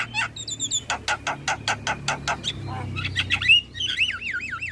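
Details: Javan myna song used to lure starlings into responding. A rapid, regular train of about twelve dry, clicking notes leads into wavering, warbled whistles that rise and fall repeatedly.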